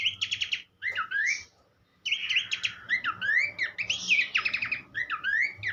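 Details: Tutor recording of a Horsfield's babbler singing for songbird training, with bursts of bright, varied warbling phrases mixing slurred whistles and quick buzzy notes, broken by two short pauses near the start.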